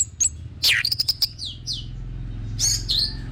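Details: Orange-headed thrush song used as a lure recording to get other thrushes singing: scattered sharp high chirps and quick down-slurred whistles, separated by gaps, over a low steady hum.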